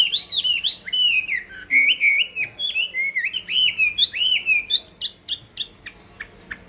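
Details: Chinese hwamei singing for a contest, a long flowing chain of varied loud whistles with swooping phrases, ending in a series of short clipped notes.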